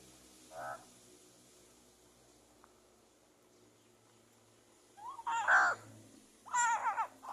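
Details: Crow giving angry calls: a short harsh note, then a long pause, then two louder rasping, harmonically rich caws close together, over a quiet background.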